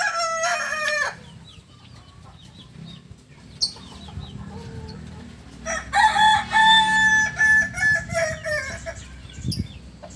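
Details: Kukuak Balenggek rooster, a native chicken of Solok, West Sumatra: a short harmonic crow at the start, then after a pause a long multi-part crow broken into many stepped, repeated syllables; low background rumble, faint other bird notes.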